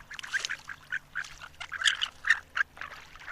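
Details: Harlequin duck calling: a rapid run of short, squeaky, nasal notes in uneven bursts, several each second, close and fairly loud over a quiet background.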